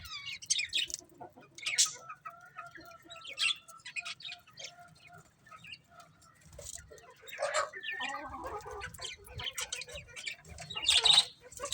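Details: Several colourful budgerigars in soft warbling chatter with sharp high chirps and occasional louder squawks, a faint low background hum throughout.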